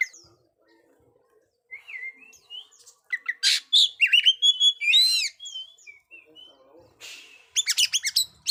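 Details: Oriental magpie-robin song for training silent young birds: soft scattered whistles building to loud fast chips and looping warbled phrases, then a rapid series of sharp clicks at the end.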